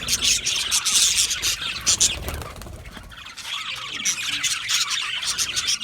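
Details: Budgerigars chattering in a group, dense high squawks and warbled chirps packed together, louder in the opening two seconds, dipping softer midway, then rising again.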